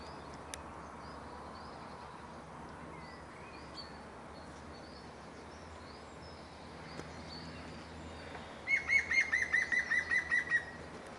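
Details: A European green woodpecker in a garden, where it stayed all week, gives its ringing laughing call, about nine loud, even notes in quick series, falling slightly in pitch, with faint birdsong and steady outdoor hum behind.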